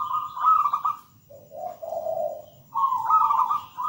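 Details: Perkutut, a local zebra dove, in song: a higher rolling coo, a lower sustained purring note, then the higher trilled coo again.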